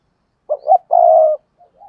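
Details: Decoy spotted dove cooing and calling to lure wild doves: two short, hollow rising notes, then one long, steady, mellow coo, with a faint soft note trailing at the end.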